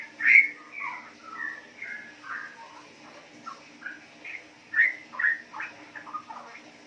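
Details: Riwik calls from a captive four-month-old female Straw-headed Bulbul, DNA-sexed, bred from wild-type parents, Yogyakarta, Indonesia: clear whistled and slurred notes in separate phrases, louder bursts near the start and again after four seconds.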